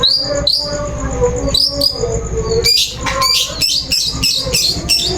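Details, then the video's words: Sound of a long-tailed shrike used as a lure to start a bird singing. High, falling whistles in pairs lead into a dense burst of harsh, buzzy, scratchy notes that keeps going to the end. "Suara Pancingan Burung Cendet"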